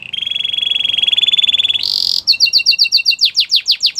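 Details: Belgian canary song opening with a long even rolling trill, a short harsher burst, then quick paired notes and broad downslurred whistles.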